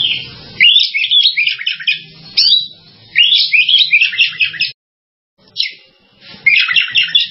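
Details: Oriental magpie-robin singing three separate bursts of quick, jumbled melodious warbling, each lasting one to two seconds, with a silent gap between the last two.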